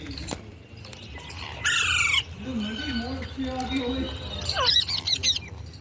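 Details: Indian ringneck parakeet making sounds: a loud harsh squawk, then low wavering speech-like tones, ending with sharp chattering squawks over a steady low hum.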